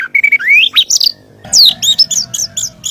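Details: White-rumped shama singing as master audio for training birds: clear whistled phrases that rise and fall, a short pause, then a fast run of bright, high, downslurred whistles.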